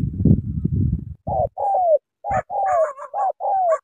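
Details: Spotted dove decoy from Cà Mau, Vietnam, after a burst of low rumble, giving clear mellow coos, each a short note gliding downward, several in a row.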